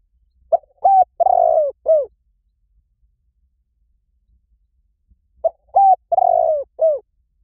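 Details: Spotted dove decoy call meant to draw wild doves quickly. Two repeated four-note phrases five seconds apart: a quick coo, a level coo, a long vibrating descending coo and a final short falling coo. No other sounds.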